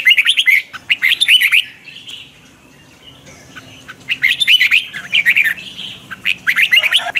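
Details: Morning song of a red-whiskered bulbul (chào mào) trained in the twisting-voice style and used as a lure bird: bursts of fast, rolling, warbled phrases with brief pauses, backed by sharp clicking noises.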